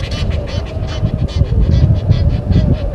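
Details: Egyptian geese disputing with intruder geese at a dam waterhole, Sabi Sand Wildtuin, South Africa, recorded by a live camera at 17:08 on 10/04/21. Rapid, hoarse, pulsing calls follow one another several times a second over heavy low rumble.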